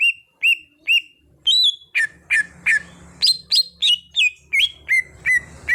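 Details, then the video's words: Greater green leafbird, an untrained bird being brought into steady song, gives crisp, repeated whistled notes with upward hooks and downward slurs, nearly three per second, over a faint low hum. "Cucak Hijau Bahan jadi Gacor"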